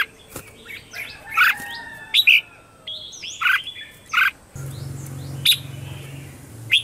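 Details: Red-whiskered bulbul morning song, used to train caged birds and lure wild ones. Loud, short, bright chirping phrases come at uneven intervals. Softer drawn-out whistles from other birds are heard, with a low hum in the second half.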